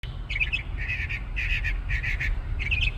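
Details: Bird perched atop a tree in a store parking lot, singing a varied song: short bursts of chirpy, twittering notes in quick clusters with brief gaps, over a steady low rumble of traffic.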